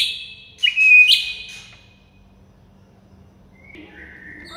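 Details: White-rumped shama (murai batu) masteran song for stirring mute birds into singing: one brief loud whistled burst with a bright high note, then near silence and a faint later phrase.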